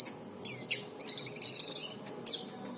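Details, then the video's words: Oriental white-eye voice for prompting other white-eyes to sing: high slurred notes leading into a brief rapid buzzy trill, then a sharp chip. "Suara pleci ini cocok untuk memancing pleci bahan agar cepat bunyi"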